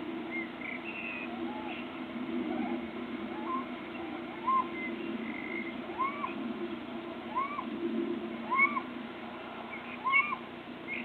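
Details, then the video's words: Little owl calling on 26 March 2014, mostly out of sight: a steady run of short arched calls, each rising then falling, about one a second, with thinner higher notes in between over constant low rumbling background noise. "Steenuil roepen 26 maart 2014 (little owl)"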